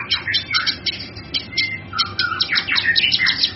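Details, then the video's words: Varied song of the cucak kinoi, used for training songbirds: mixed high chips and lower whistled slurs and sweeps jumbled rapidly together. "Suara Burung cucak kinoi"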